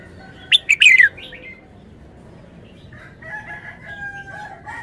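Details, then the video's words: Red-whiskered bulbul performing wild-style song phrasing: one loud burst of sharp, bubbly notes sweeping downward, followed by softer, more distant bird notes and faint whistles. "นกกรงหัวจุก 292 เพลงป่า แกนโต"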